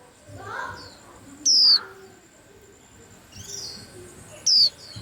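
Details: Chirping of caged white-eyes, two loud high sliding whistles three seconds apart amid softer chirps and twitters from other birds nearby.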